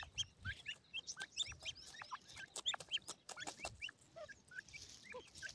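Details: Captive grey francolin chicks with white plumage, playing with feed: quick strings of sharp rising cheeps, several per second, interspersed with crisp clicks of pecking.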